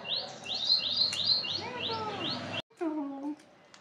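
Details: Parakeet giving a quick run of about a dozen high, sharp chirps over two and a half seconds, then after a brief break a shorter, lower, harmonic, voice-like phrase.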